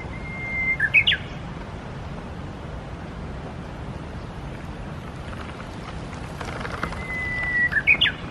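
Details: Japanese bush warbler beside the Tsurumi River sings twice, about seven seconds apart. Each song is a higher sustained whistle that breaks into a short, stuttering, rising and falling flourish, over constant low outdoor noise.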